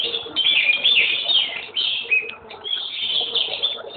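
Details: Red-whiskered bulbul singing a dense, continuous run of bright whistled and chattering notes with quick rising and falling slurs, barely pausing across four seconds, over a faint low background hum.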